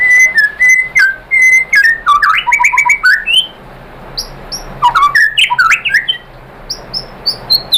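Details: White-rumped shama song used as a lure to provoke other shamas into singing: varied whistled phrases near mid pitch, then rapid high chirps and downslurred notes in bursts, with short pauses between phrases.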